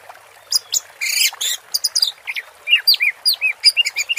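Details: Orange-headed thrush in 'teler' song with water therapy: a harsh buzzy rasp early on, then a fast run of short downslurred whistled notes repeating several times a second, over a light hiss.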